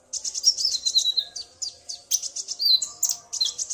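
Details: Male Common iora roused by a calling female, male and female answering each other; a dense run of high chirped notes and slurred, falling whistles with only tiny gaps.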